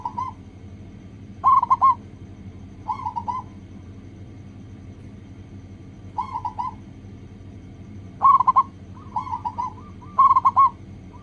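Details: Lure recording of a local zebra dove to get other doves singing quickly: stuttered cooing phrases scattered across the clip, loud and soft ones mixed as if several birds answer, steady low hum beneath.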